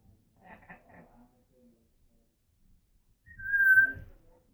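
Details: Female pet African grey parrot making noises: soft mumbled speech-like sounds come first, then after a quiet pause a single loud, steady whistled note.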